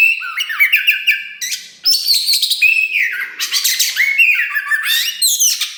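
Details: Kacer wulung (Oriental magpie-robin), a rare black form said to sing loudly while pushing its tail, in rich varied song: whistled phrases sliding between low and very high notes, mixed with harsh buzzy bursts, nearly continuous.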